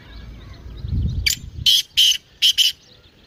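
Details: Partridge call played to make a kept partridge call: a series of loud, harsh, buzzy notes, paired and repeated, after low rumbling background noise.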